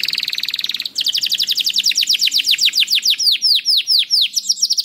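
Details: Canary song used as a lure to get other canaries singing: a rapid high trill, then a run of fast falling whistled notes that slow into longer sweeping slurs near the end.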